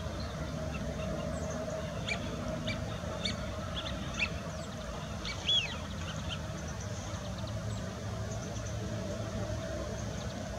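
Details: Eurasian wigeon flock at the Bedburger Klärteiche: scattered short clipped calls throughout, with one clear arched whistle midway, set against a constant low hum and rumble.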